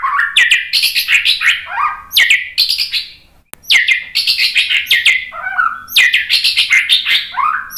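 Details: White-rumped shama song used to provoke other birds into singing: loud varied phrases of rich whistles and sharp chirps, rising and falling notes with buzzy trills, delivered in rapid bursts with a brief pause midway.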